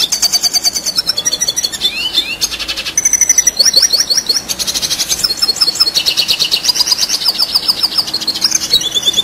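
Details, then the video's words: Long unbroken red siskin song in gacor ngerol style, dense high-pitched twitters, buzzy trills and quick downward-sweeping whistles running one into the next without a break. "Red Siskin Gacor Ngerol Durasi Panjang"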